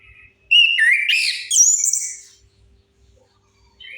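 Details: Orange-headed thrush song meant to lure quiet birds into singing. A two-second rush of bright whistles climbing into very high, shrill notes, followed by near silence and a short closing whistle.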